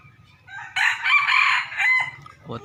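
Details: Red young rooster whose crow is said to resemble its father's gives one long, harsh, sustained crow lasting over a second, strong and even before tailing off, with low background hum.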